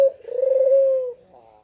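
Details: Barbary dove, a lively calling bird, giving a single coo: a short sharp onset, then a long, steady, low hum lasting about a second before fading. Recording serves as a lure to prompt quiet doves to call.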